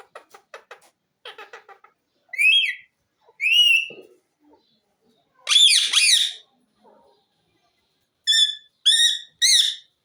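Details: Ring-necked parakeet giving quick soft ticking chatter, then loud rising whistles, a harsh screechy phrase and three short whistled notes in close succession.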